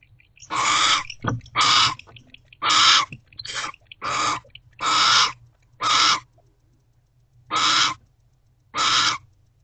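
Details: Barn owls mating in a nest box late at night on 1 January, with a second owl too close; loud, harsh rasping screeches, about nine in a row, some paired closely, others spaced a second or more apart.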